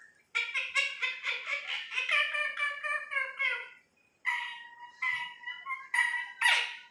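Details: Pet parrot said to imitate any human words chatters in a fast string of about a dozen harsh, voice-like syllables, pauses, then adds several more ending in a rough squawk.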